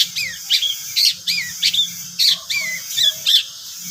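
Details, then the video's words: Long-tailed shrike (cendet) pancingan lure song. Loud, harsh chattering notes alternate with quick whistled, downslurred phrases, repeated about twice a second in a brisk, even rhythm against a faint background hum. "pancingan cendet"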